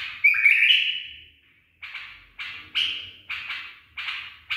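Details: Trained tame bulbul: one long rich warbled 'barwaz' phrase with a trailing whistle, followed by a quick run of short, sharp repeated notes.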